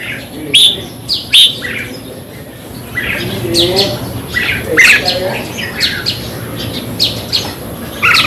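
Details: Red-whiskered bulbul song meant to rouse caged birds: sharp whistled notes near the start, then rolling chirpy phrases repeated every second or so, with a faint murmur underneath.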